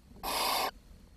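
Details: Barn owl chicks at a nest where food is too scarce to feed every young, the smallest having died; one harsh, breathy hiss lasting about half a second, then quiet.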